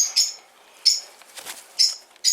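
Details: Sun conure chick, hand-raised in a Fukuoka pet shop: four short shrill squawks spaced roughly every half to one second, with soft rustling between.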